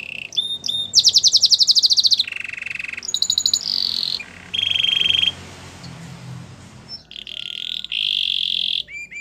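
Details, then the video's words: Belgian canary singing, for training canaries: a string of varied tours, with fast high rolls, a low buzzy steady trill, bright high whistled notes and a long even trill near the end, and faint low hum behind. "Belgian canary singing"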